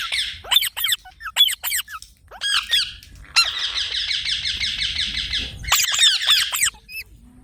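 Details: Green parrot, an Indian pet, giving short sharp screeches in quick succession, then a sustained buzzy chattering stretch, and finally more shrill squawks.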